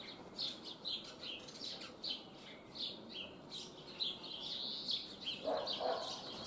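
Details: Young common starlings kept in a cage in Liepāja, Latvia, in May 2024, give a run of short, high chirping calls, several each second. Later comes a lower, harsher burst, with faint city sounds behind.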